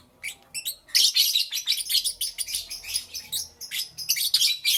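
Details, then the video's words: Lovebirds chattering in the morning, a near-continuous stream of shrill, high chirps and squeaks that starts sparse and then runs on with steady loudness pulses to the end. "Lovebirds Chirping Sounds"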